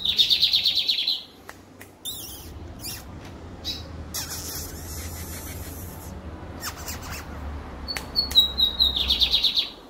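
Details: Lined seedeater singing on 23 October: bursts of fast, buzzy, high trilled song, with a few sharp chips and a rising whistled note between phrases; low background hum.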